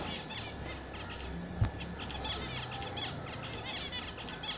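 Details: Zebra finches kept as pets chatter steadily, packing short nasal honks and buzzy phrases closely together, with a single soft knock partway through.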